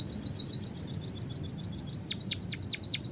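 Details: Lure song for trapping from a vigorously singing white-headed munia: a fast, even trill of high chirps settling into level piping notes, then a chain of steeply falling whistles.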